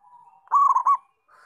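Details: Local zebra dove: a quiet, steady lead-in note gives way to a single loud, rapid phrase of bubbling, stuttered coos. A faint, soft sound follows.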